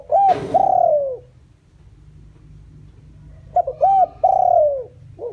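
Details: Decoy spotted dove used as a lure to draw in wild doves, giving low hollow coos: a short doubled note followed by a longer, slightly falling coo, the phrase repeated twice after a pause, with a brief rustling burst at the start.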